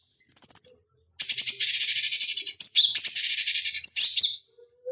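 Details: Cucak cungkok (bulbul) singing on a master recording meant for training fighting birds: a short high whistle, then long dense rattling trills broken by sharp downslurred notes.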